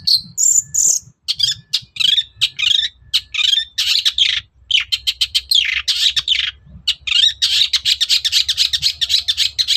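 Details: Long-tailed shrike singing energetically in the morning to provoke other birds into replying, pouring out rapid harsh chatters, squeaky notes and mimic-like phrases in a long varied stream over a faint low hum.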